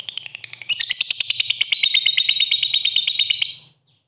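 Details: Lovebird song played to stimulate other lovebirds to sing: a rapid, harsh chattering trill of about fifteen buzzy notes a second, rising into a dense high twittering run that lasts nearly three seconds, with a faint low hum behind.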